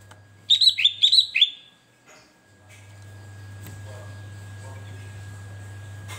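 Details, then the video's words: A sooty-headed bulbul in full song gives a quick burst of bubbly, liquid whistled notes lasting about a second, followed by a low steady electrical hum and faint background noise. "kutilang gacor"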